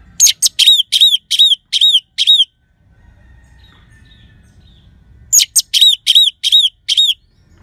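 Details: Orange-headed thrush singing steadily in a clear 'crystal' style, used as a lure for sluggish birds: two runs of about six sharp, hooked whistled notes each, spaced roughly a third of a second apart, with a quiet gap between runs.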